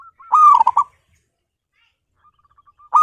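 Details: A captive local zebra dove, kept at home and loud-voiced, gives a quick burst of bubbling, stuttered coos, then a few soft clipped notes and the start of another loud phrase; used to prompt other doves to sing.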